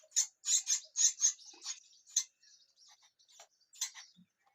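Myna chicks give a burst of harsh, high chattering notes, about six in quick succession, then fainter scattered squeaks and one last rasp.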